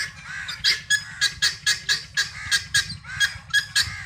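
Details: Free-range helmeted guineafowl looking for feed: loud, harsh, scratchy calls repeated roughly every quarter to third of a second in a rhythmic, insistent series.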